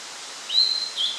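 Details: Blue-and-white flycatcher (Cyanoptila cyanomelana), 8 June 2013, giving two clear, high whistled notes, the first rising slightly, over a steady soft hiss.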